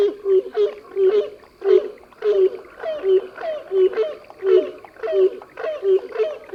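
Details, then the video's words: Grey crowned cranes with chicks: a rhythmic string of soft, low honks, some doubled, coming about every half second, with light higher chatter between notes. "Sounds of gray crowned cranes | Gray crowned crane with their babies"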